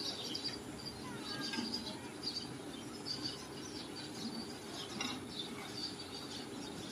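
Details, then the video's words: A flock of sparrows chatters in dense, overlapping short chirps without pause, over a steady low background hum. "beautiful sparrows sound"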